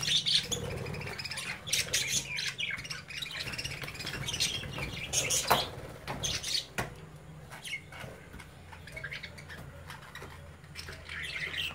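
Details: Caged budgie babies playing with their parents nearby; a flurry of high chirps and squawks early on gives way to softer, scattered twitters and a long quieter stretch over a low hum.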